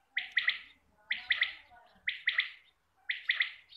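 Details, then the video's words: Quail call played to attract quail for hunting: clipped, bright triple-note phrases, each quick note sharply struck, repeated roughly once a second with short silent gaps between. "Batair ki Awaz shikar kliya|Quail sound For shikar"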